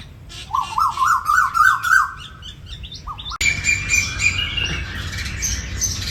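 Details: Asian koel delivering a fast series of upward-slurred whistles for about two seconds, followed by a lone note, then a dense chorus of high chattering and chirping birds takes over.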